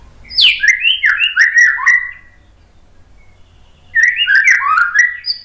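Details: Training song of the white-rumped shama: two bursts of melodious whistled phrases with sliding, stepping notes, separated by nearly two seconds of silence.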